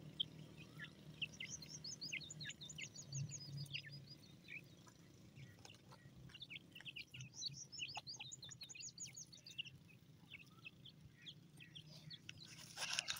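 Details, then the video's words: Young grey francolins peeping in rapid, high-pitched bursts, sometimes run together into quick twittering series, with a constant low background drone. "Teetar kay bacche ki awaz,gray francolin chicks"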